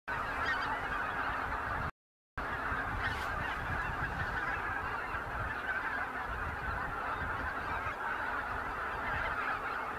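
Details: A snow goose flock in fields near Jasionowo, Biebrza National Park, Poland, at the end of March 2011, gives a dense, continuous chorus of nasal honks and yelps, many birds calling over one another without pauses.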